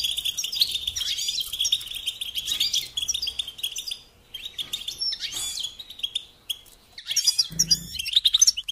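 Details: European goldfinch song used as a lesson to train songbirds: a fast, twittering run of high metallic chirps and trills, dense and continuous for about four seconds, then broken bursts, with a faint low hum underneath.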